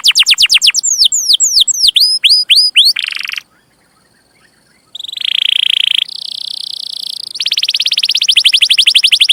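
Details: Lively singing canary, a recording meant as a master for training young canaries: a burst of rapid falling sweeps at about four per second, a buzzy trill, a short silence, then a steady fast rolling trill rising to a higher roll.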